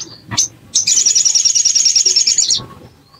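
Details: Bar-winged prinia lure recording, tagged as a female calling a male: one sharp note, then a loud, fast, very high buzzy trill lasting nearly two seconds with steady pulsing, over faint background rustle.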